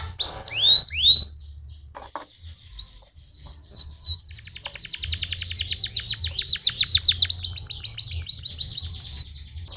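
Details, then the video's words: Canary song played to stimulate singing: a few sharp swooping notes and soft scattered chirps, then a long, steady, fast trill of repeated high notes that carries to the end, low hum in the background. "The fastest! That stimulates the sound of the canary in a matter of seconds!"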